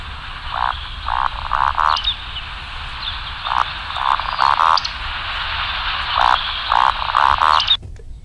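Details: Played recording of a Eurasian woodcock giving its breeding-season call, Basque Country; repeated sets of deep croaking grunts, each set ending in a thin sharp high squeak, over constant hiss.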